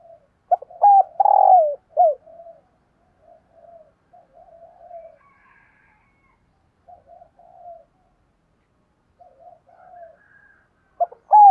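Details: Spotted dove, a decoy bird cooing in the morning to lure wild doves, giving loud, quick bursts of rising-then-falling coo notes followed by softer, lower murmured coos, with pauses between phrases and a clean, quiet background.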